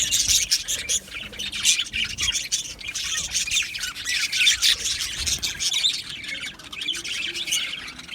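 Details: Australian budgie colony in an aviary, recorded 12 July 2025, keeping up a dense, unbroken chatter of squawks and high chirps from many birds throughout.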